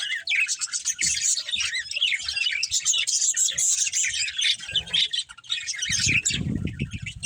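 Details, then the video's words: Breeding pair of budgerigars chirping: continuous dense, scratchy high warbling with rapid twittering notes throughout, a few low knocks and thumps near the end. "Cute Budgies Chirping Sounds"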